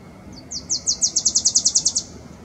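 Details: A male Wilson's warbler (Cardellina pusilla) sings in Strawberry Canyon, Berkeley, California, on 31 March 2022: a rapid, dry chatter of about a dozen high notes that swell in loudness and speed up slightly, over faint background hiss.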